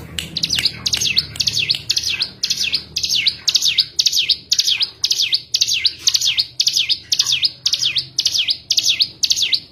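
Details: Cigun song used as a lure to get a bird that has stopped singing to sing again: a fast series of high, sharp notes, each dipping down and sweeping back up, repeated about twice per second with steady rhythm.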